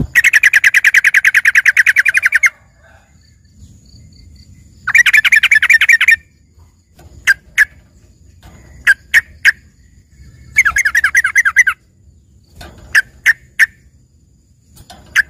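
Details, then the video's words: Trucukan, or yellow-vented bulbul, as filler song for green leafbirds: long bursts of very rapid, rattling chatter lasting up to two seconds, alternating with scattered single sharp chirps. "dengerin suara trucukan isian ini"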